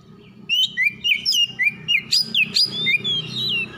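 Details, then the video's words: Kacer, the Oriental magpie-robin, calling in the morning: about ten sharp, rapid whistled notes, each a quick looping slur, over a steady low droning hum that sounds like a background mechanical or musical tone. "PANGGILAN KACER PAGI HARI"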